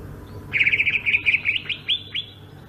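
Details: Greater green leafbird from Sumatra rolling its ngerol song: a rapid trill of chattering notes followed by two separate down-slurred whistles, over soft low hum.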